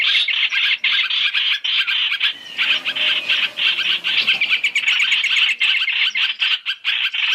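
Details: Trapping lure of masked laughingthrush, three calls combined: loud, scratchy chattering with a short softer pause near the start, then fast, even bursts continuing.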